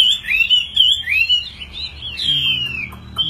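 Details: Caged Chinese hwamei fighting bird singing clear, fluid whistles: long rising and falling glides, a sharp upward note, then a drawn-out descending slur, with faint low hum behind.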